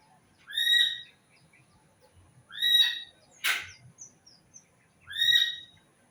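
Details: A bird repeats a loud, rich harmonic note three times, each sweeping up then levelling, spaced about two seconds apart; a short harsh burst and a few faint chirps fall in between.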